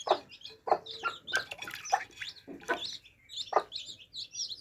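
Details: Baby chicks drinking water; a crowd of high, thin peeps runs throughout, broken by loud broadband taps and knocks about once a second from beaks striking the drinker.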